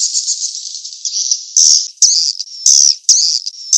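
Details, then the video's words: Swiftlet mating-chase lure call ('kejar kawin'): a high buzzy twitter followed by loud, separate chirping bursts about once a second, each a harsh rattling chirp. "SUARA PANGGIL BURUNG WALET‼️ REVISI SP KEJAR KAWIN ORIGINAL‼️"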